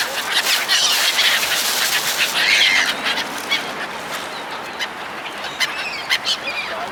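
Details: Seagulls fed by people, a loud burst of shrill squealing early on, then sparser, thinner calls scattered over a noisy background.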